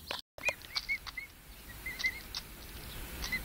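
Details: Pet emu chicks aged five weeks utter scattered thin, arched whistle notes, about a dozen spread across the stretch, with occasional sharp clicks and a brief dropout near the start.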